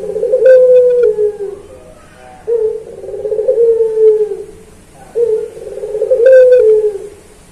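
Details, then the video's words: Barbary dove of the puter pelung type, in a training recording for cage birds. Three low, rhythmic coos about two and a half seconds apart, each a vibrating purr that stretches into a drawn-out falling hum. "Masteran Puter Pelung Manggung Atau Berbunyi"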